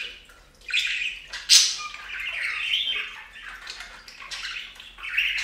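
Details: Bathing budgies at a fountain give a loud harsh squawk followed by rolling, grating warbled chatter that rises and falls, ending in another sharp note; faint water sounds throughout.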